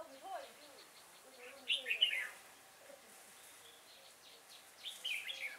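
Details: Red-whiskered bulbul recorded during trapping with a decoy bird at Chùa Hương, Vietnam, on 5 March 2018: two short bright chirpy whistled phrases, sliding and warbled, separated by quiet, with faint low voices early on.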